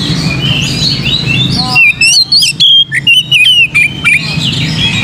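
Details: A lively, loud burst of Oriental magpie-robin song, used to stir other birds to sing, begins after a busy chorus of background chirping. Clear whistled notes and quick upward and downward slurs follow in rapid succession.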